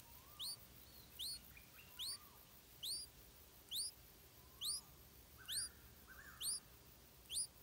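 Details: A hungry stripe-throated bulbul chick begs while its mother feeds it insects. Thin, high upswept squeaks repeat steadily about once a second, with softer lower slurred notes between them.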